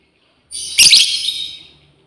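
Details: A female lovebird calls out to companions with one loud, harsh, shrill screech lasting about a second, rasping and broadband, fading off at the end in an otherwise quiet setting.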